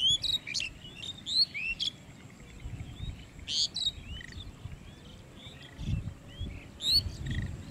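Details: Several lesser whistling ducks at Manikganj calling in clustered bursts of sharp, rising and falling whistles, with short gaps between groups of notes and a low background rumble throughout.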